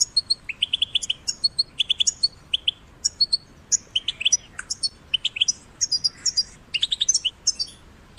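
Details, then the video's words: European goldfinch chicks, caged and in nature, in a recording used to stimulate singing: rapid twittering of short high notes, chirpy bursts and buzzy trills, clustered phrases separated by brief pauses, steady faint background hiss. "Goldfinch Chicks Ringtones in the Cage and Nature for Stimulation"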